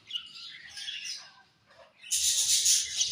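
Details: Colourful budgies chirping: soft high warbling twitters for two seconds, then a sudden loud burst of sharp, shrill chatter that continues to the end.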